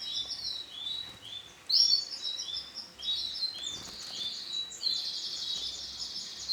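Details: Female canary with bright orange plumage giving a string of high, thin whistled notes with short slurred chirps, one sharper louder chirp near the middle, then longer level whistles; quiet room background.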